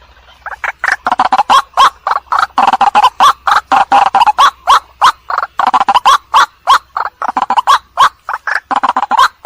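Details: Lure call of the white-breasted waterhen played at night: a long, steady stream of loud, rough clucking notes, three to four per second, harsh and croaking throughout.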